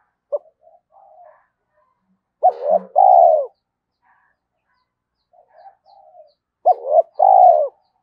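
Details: Spotted dove cooing, used to stir wild doves into answering; two loud phrases about four seconds apart, each a short hooked note followed by a long, hollow, slightly falling coo, with soft murmured notes between.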